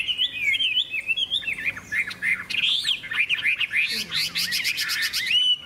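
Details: {'caption': 'Hwamei singing competitively in a cage, pouring out a long, varied warble of looping whistles, with fast trilled bursts near the end and a final upward-sliding note.'}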